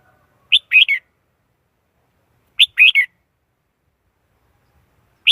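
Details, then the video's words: Red-whiskered bulbul delivering a short rising-and-falling three-note phrase, repeated about every two seconds, against silence. "Tiếng chim chào mào"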